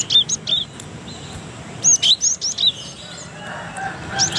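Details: Cinereous tit singing in Indonesia, kept as a model for teaching other birds: short clear whistled notes in small clusters with gaps between them, followed by a quieter noisy stretch.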